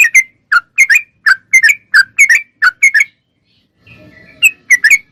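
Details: Sooty-headed bulbul (trucuk) in gacor song for training caged songbirds: bubbly paired whistled notes, a pause with a faint low rumble, then three more notes.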